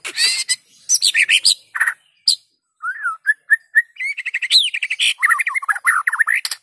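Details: White-rumped shama song used to set other shamas singing: harsh chattering bursts, a pause, then clear whistled notes building into fast, varied twittering phrases.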